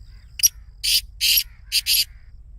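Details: Black Francolin excited 'masti' call, used to prompt caged birds to call: one brief click-like note, then a pause and four rasping, noisy bursts in quick succession, with a faint low hum behind.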